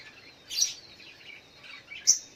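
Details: In the morning, a Sogok ontong gives a brief, high smeared note, then a sharp bright chip near the end, with faint chattering of other birds between.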